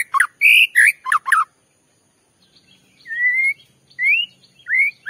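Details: Lure song of a white-rumped shama meant to agitate rivals: quick loud whistles and slurs, a silent gap, then drawn-out rising whistles spaced about a second apart.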